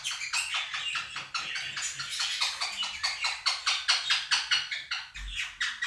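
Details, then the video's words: Two caged Quaker parrots calling loudly over a playback of budgerigar song. A rapid series of grating, broadband shrieks rises and falls in loudness, with budgie twittering blended in. "КАК ПОПУГАИ МОНАХИ СТАЙКУ ВОЛНИСТЫХ ПОПУГАЕВ ПЕРЕКРИЧАЛИ Quaker parrots scream over flock of budgies"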